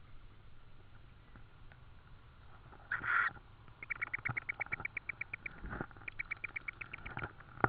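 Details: Tawny owl at its Estonian nest on the evening of 4 May 2013, with an insect delivered as food: one brief loud squeal, then two steady trains of quick, evenly spaced raspy notes.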